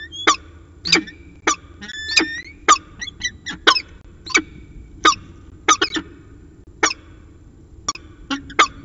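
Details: Peregrine falcon recorded at CSU Orange in the early evening of 15 January 2019: irregular harsh, scratchy calls mixed with thin, slurred whining notes over a steady low hum.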